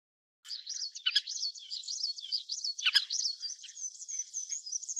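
Little curlews give a dense, high chatter of quick whistled notes that overlap without pause, with a couple of sharp clicks or knocks in the background.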